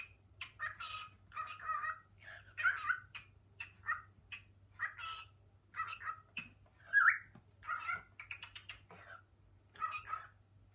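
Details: Male pet cockatiel exploring kitchen cupboards indoors alongside its female, calling for its mate with a mimicked spoken summons; rapid run of chattering, slurred syllables and squawky notes, one louder rising squeak midway, over a faint steady hum.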